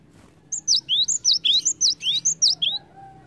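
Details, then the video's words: Cinereous tit lure song meant to stimulate other birds to sing: a rapid two-second burst of about a dozen high, thin chirps, alternating sharply bent notes with quick rising slurs, over a faint low background hum. "PANCINGAN BUNYI GELATIK WATU"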